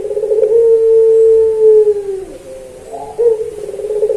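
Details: Puter pelung dove singing in a training recording: a long, low, steady coo lasting nearly two seconds, then a trembling rolling coo after a short pause.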